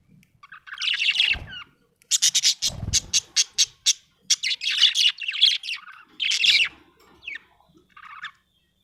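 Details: Budgerigar chattering happily: a long run of scratchy warbles, then a series of about eight rapid clicking chirps in a regular row, followed by more buzzy chatter and softer squeaks, with brief low thuds.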